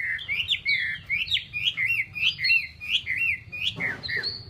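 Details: Chinese hwamei song: a rapid series of loud, varied whistled phrases, bouncing up and down in repeated slurred notes, ending in a harsher burst and a high whistle.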